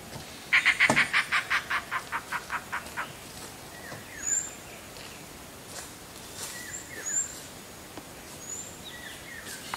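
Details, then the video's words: Indian roller gives a loud run of about a dozen harsh, rasping chack notes that slow and fade over two seconds; faint thin whistles from other birds follow. "Indian Roller Call"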